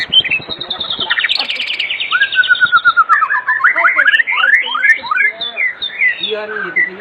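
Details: White-rumped shama singing energetically in the evening, meant to get other shamas singing: a high, fast stuttering series, then a steady whistled trill breaking into a lively medley of swooping, varied notes.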